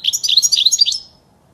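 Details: ['European goldfinch song for teaching young birds: a one-second, rapid, tinkling twitter of bright, jumbled notes that stops abruptly.']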